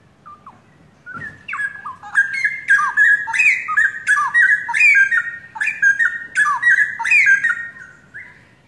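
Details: A young forest-caught pair of straw-headed bulbuls, long kept by their owner in Indonesia, singing actively. Loud, rich, bubbling whistled phrases run almost continuously for about seven seconds, with rapid rising and falling notes tumbling over each other.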